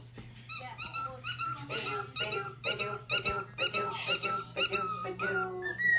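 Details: A male pet cockatiel sings on Christmas morning indoors: a run of bright, squeaky whistled notes, repeated about twice a second over a low indoor hum.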